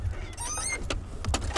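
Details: Burchell's starling calling directly overhead at sunset in Sabi Sand on 24 February 2016. It gives a brief burst of squeaky, metallic, robotic-sounding notes that wobble up and down, over the low rumble of an idling safari vehicle.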